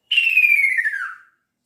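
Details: One bright, slightly wavering whistle from a male kaso-kaso bird calling its female. The note glides downward and tails off softly.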